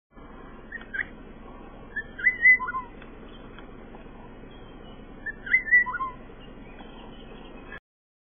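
A Southern boubou gives two short bursts of liquid, whistled notes, some sliding downward, about three seconds apart, over a steady background hiss.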